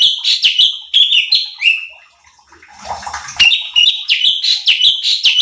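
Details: Cucak cungkok bulbul singing energetically to provoke other birds: quick bursts of bright whistled notes that slur downward and up again, a pause filled with soft rustling, then the rapid whistled phrases resume.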